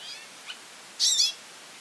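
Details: Goldfinch calling a lot: one faint thin note, then a single loud, high, buzzy burst of quick twittering lasting about a third of a second, over a quiet hiss.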